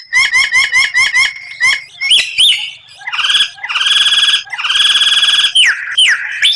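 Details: Murai batu (white-rumped shama) training song with rare 'tembakan' bursts: a quick run of about seven repeated chirps, then rising whistles and two long, harsh, buzzy rattles.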